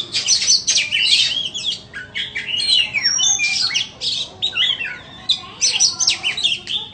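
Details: White-rumped shama offered for sale giving a long, varied song of sharp chattering notes, clear whistles and slurred phrases, with brief gaps between bursts.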